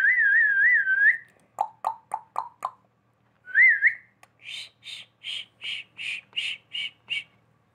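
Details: Talking pet parrot whistling: a long warbling whistle, a fast series of short lower clicks, another rising whistle, then a steady string of nine harsher repeated notes.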